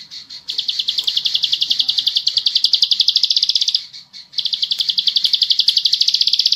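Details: Ciblek sawah, or bar-winged prinia, singing in the 'full bren' style used as a tutor recording. High sharp chips rattle off about ten per second in two long bursts with a short gap between.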